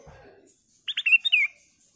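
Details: Singing Ruby-throated bulbul (kutilang emas), used to draw song from other birds. Several quick clipped notes run into a drawn-out sliding whistle, after a faint low murmur at the start.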